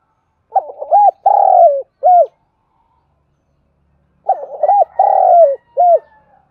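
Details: Lure spotted dove giving its call to excite wild doves during daily training: two identical cooing phrases about four seconds apart, each with clipped opening notes, a long falling coo and a short closing coo, with silence between.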